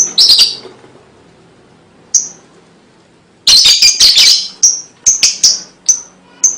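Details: Lovebird chirps and chatter played to lure and stimulate young birds: a short burst of buzzy squeaks, a lone chirp, then a dense rattling cluster followed by rapid high chirps.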